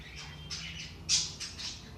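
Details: Short budgerigar outburst used to encourage inactive budgies: harsh raspy squawks and a loud sharp screech near the middle, with a low hum running underneath.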